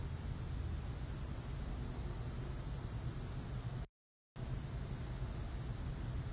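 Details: A steady broadband hiss with low rumble fills the clip, broken by a brief silent dropout near four seconds.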